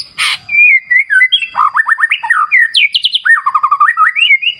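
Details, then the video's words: White-rumped shama song amid clear-river nature sounds: after a brief noisy burst, smooth whistles give way to fast rolling trills, high quick chips and a descending warble ending in a rising whistle. "Terapi Murai Batu Ala Alam Liar Sungai Jernih"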